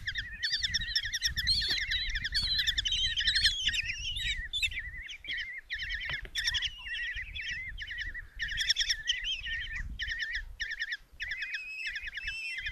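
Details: Common kestrel chicks, five young in a nest box in Tiszalök, Hungary, on June 27, 2024, while the mother brings a mouse for breakfast: dense, overlapping trilled chittering calls, harsh and repeated rapidly, with low rustling and thumping in the box.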